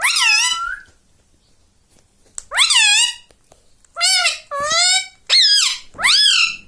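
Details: Pet parrot indoors in a small room, talking like a human, saying mummy and mitthu mitthu; high, squeaky voiced syllables with rising and falling pitch, several short words spaced by pauses over a few seconds.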